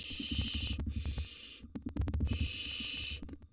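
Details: Wild barn owl nestlings at feeding time in a nest box: two long, harsh, steam-like hisses with a pause between, accompanied by clicking and scratching of moving birds.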